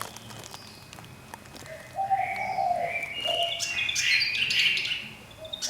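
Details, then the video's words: Fantail kept one year in a cage with a large space, singing a string of clear whistled notes, some low and steady, others higher and wavering, against a hissy background with scattered clicks and knocks. "Giẻ quạt hót - Fantail bird singing"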